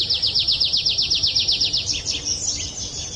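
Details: Bird chirping for a classroom focus timer: a fast, even trill of sharp downslurred notes, about five a second, then looser scattered high chirps.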